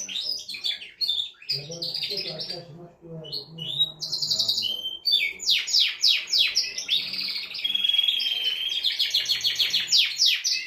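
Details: Male canary singing to stimulate a female for mating: a long varied song of rapid trills and buzzy rolls, with downward sweeps and a steady whistled note near the end, phrases tumbling without pause.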